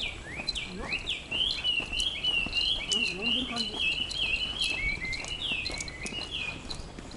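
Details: On Mt Takao, a bird whose identity is uncertain (possibly a Chinese hwamei or an escaped myna) sings a loud, varied run of rich whistled phrases. It rises and falls quickly over several seconds, resembling the chorus of the song "Neraiuchi". A passer-by remarks it seems to be imitating; a voice is faint behind.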